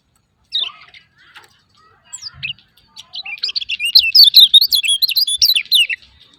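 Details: Lemon-bellied white-eye 'ciak ciak' calling, played to prompt non-singing birds: a few scattered high chirps, then a fast, excited run of twittering, sweeping notes that grows louder and continues for about three seconds.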